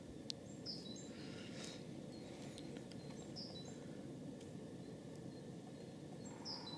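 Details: Great spotted woodpecker giving sharp, high single 'kik' notes about every three seconds over a steady low rumble of wind or distant traffic.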